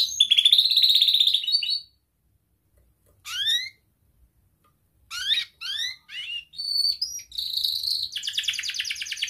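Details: A young canary sings a tight-roll tutor song for young canaries, delivered in broken phrases: a dense buzzy roll, silence, then scattered steep downward whistled slurs and a closing high trill.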